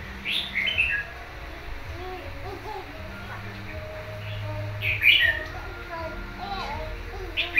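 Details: Wild-caught red-whiskered bulbul kept caged for one month gives loud, bright chirped phrases at intervals. Softer, lower whistles and a faint voice sound in the background.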